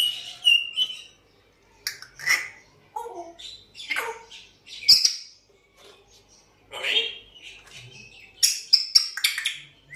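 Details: Talkative African grey parrot mixing rapid whistles, squeaks and speech-like chatter in bursts over ten seconds, with short silent gaps; a person says "Again" afterwards.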